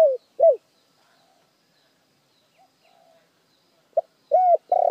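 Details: Spotted dove lure song: tail of one cooing phrase, a quiet gap with a faint soft sound, then a fresh phrase with a short pip, arched coo and the start of a long wavering coo.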